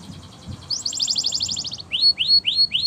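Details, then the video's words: Canary singing: a fast buzzy trill of repeated notes, followed by a series of rising whistled swoops repeated about every quarter second. Faint low background noise underneath. "Canaries Singing In The Wild"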